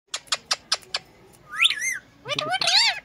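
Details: Indian green ringneck parakeet, a pet talking parrot on a cradle, mimicking a cat's meow: five short sharp clicks, then two rising-falling meow-like whistled glides with harmonics.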